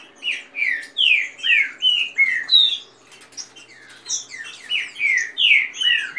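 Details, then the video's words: Green-winged saltators kept in captivity sing against each other a quick song of the rain type, alongside female calls. Loud descending whistles repeat several times a second, break off near the middle, then resume with high squeaky notes overhead. "trinca ferro canto rápido com macheado de fêmea e canto de chuva"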